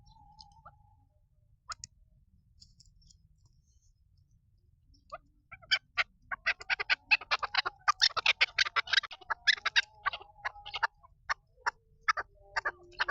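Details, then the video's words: Female chukar partridge (chakor) calling after a few seconds of near silence: a short whistle, then a burst of rapid, rough clucking notes that runs on unevenly to the end. "Mysterious call of the female chakor bird"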